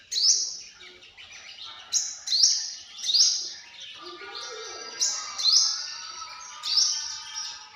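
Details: A sunbird repeats a short, piercing, upward-sweeping note seven times, roughly once a second, while a fainter, lower tonal sound hums underneath in the middle.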